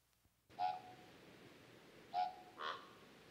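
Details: A mated pair of Common Ravens duetting, female higher-pitched and male lower: a clear, ringing note, a matching one about a second and a half later, then a rougher, broader answer close behind; each pair develops its own repertoire.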